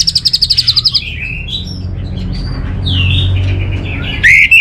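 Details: Caged orange-headed thrush from Bali, played as morning and evening song therapy: a fast run of repeated high notes, then varied warbled and whistled phrases sliding between middle and high pitch, with a steady low hum underneath.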